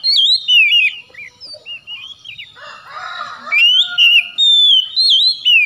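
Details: Oriental magpie-robin in strong song, used to coax a bird that has gone quiet: rapid whistled phrases with wavering, looping notes, a short harsher chattering passage, then more loud ringing whistles.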